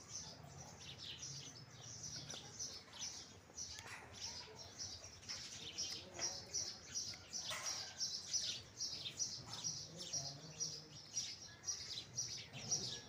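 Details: House sparrows chirping: bright, high, short chirps tumbling out about twice a second, several birds overlapping, over a faint low hum.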